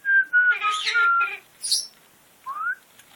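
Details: Male military macaw, territorial on top of his cage and showing bluffing and hormonal aggression, gives steady mid-pitched whistles with a harsher squawk in the middle, then a brief high chirp and a short rising whistle, in an otherwise quiet setting.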